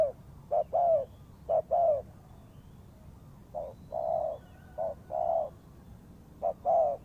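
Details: Spotted dove used as a trapping lure gives spaced cooing phrases of short coos and longer falling coos, separated by quiet gaps, with a faint higher tone at times.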